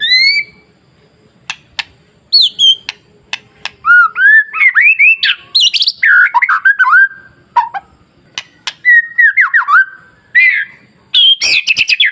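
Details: Masteran song of a white-rumped shama to provoke frightened shamas into agitated singing: opening whistles and sharp clicks, then long rich bursts of warbles, slurred whistles and high trills.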